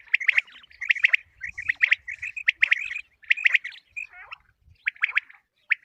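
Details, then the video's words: Calling common quail, a female quail sound used as a morning hunting lure; bright repeated chirp clusters separated by short pauses, with a few softer twittering notes and faint low rumble. "Batair ki awaz | common quail calling"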